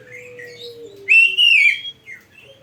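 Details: An Oriental magpie-robin in an Indonesian training recording used to tutor caged birds gives a loud, clear whistled phrase that rises and wavers, after a soft steady low tone and faint hum.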